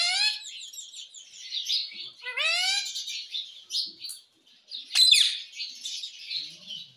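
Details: Caged pet ringneck parrot in talking practice: a rasping descending squawk early, then busy high chattering and chirps, with one sharp click-like burst midway.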